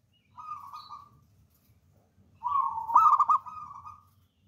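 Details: Zebra dove of local wild stock, used as a lure for trapping, gives a soft level coo, a pause, then a longer phrase that swells into a rapid stuttering trill before trailing off.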